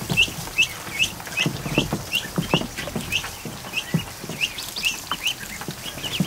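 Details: Chorus from more than a hundred newly hatched ducklings in a kiddie pool inside a barn in the afternoon: high thin peeps repeat quickly and irregularly, about two or three each second, over light splashing and patter.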